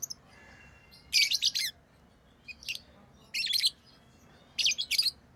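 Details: Chirping pet lovebirds: four bursts of rapid, harsh, high-pitched notes, the longest about half a second, separated by pauses of a second or more, with a faint thin whistle at the start.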